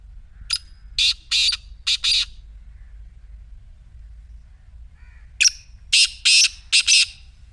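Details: Harsh call of a black francolin, offered to get a silent partridge to call: a grating phrase of four or five scratchy notes, a long quiet gap, then the same rhythmic phrase again, loud and clear.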